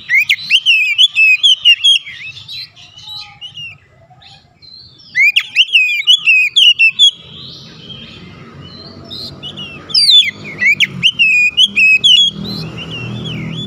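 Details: Oriental magpie-robin calling other birds, which respond: three bouts of loud, repeated whistled notes rising and falling, separated by quieter gaps, with noisy low rumble growing in the later part.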